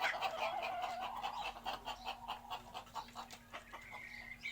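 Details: Chickens clucking in a rapid, uneven series of short pulsed notes, with a steady low hum and faint background noise throughout.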